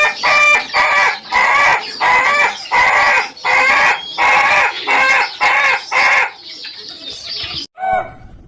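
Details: Crow of an Ayam Ketawa rooster from Indonesia: about nine loud, even bursts of harsh harmonic notes roughly every 0.7 seconds, like rhythmic laughter, then trailing off into quieter calls.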